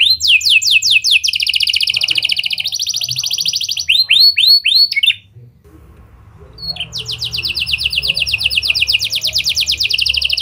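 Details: Canary singing constantly with lovebird and prinia (prenjak) style phrases, used as a lure to set other canaries singing: fast high rattling trills, then a brief pause, then a long rapid buzzy trill running to the end.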